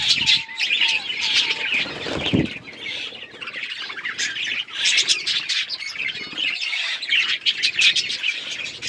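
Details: Budgerigars chattering in a colony: dense high chirps and warbles, a short run of clear lower whistled notes near the start, and a brief flutter of wings early on.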